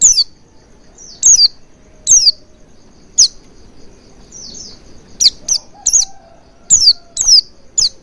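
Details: Oriental white-eye used as a lure for singing: scattered high sharp chirps falling in pitch, some softer, bunching closer together toward the end, over a quiet low rumble.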